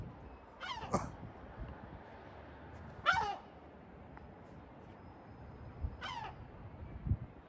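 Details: Gull calls at Batumi: three sharp, harsh cries spaced roughly two to three seconds apart, each dropping in pitch at the end, with a low background hum and occasional thumps.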